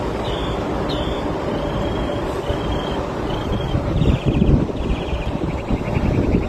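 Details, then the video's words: Northern Mockingbird in a city borough mimicking a car alarm in sync with it: short steady high whistles, then rapid pulsed, warbling phrases, each repeated, over heavy rumbling traffic. "a mockingbird singing a car alarm"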